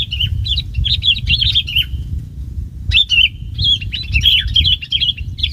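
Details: Decoy bulbul kept for trapping sings quick chattering phrases of warbled, slurred notes in two bursts separated by a one-second pause, with low background rumble throughout.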